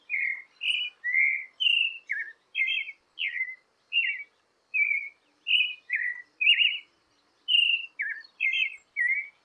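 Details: A creamy-bellied thrush (Turdus amaurochalinus) sings a varied run of short whistled and slurred phrases, about one per second, mid-high in pitch, over a clean quiet background; song.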